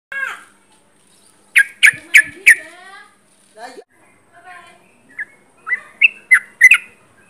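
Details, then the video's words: Sooty-headed bulbul singing actively at close range: a burst of four loud, sharp chirped notes, then softer gaps and a run of short rising whistles near the end, with some lower harmonic chatter at the start. "Trucuk gacor jarak dekat"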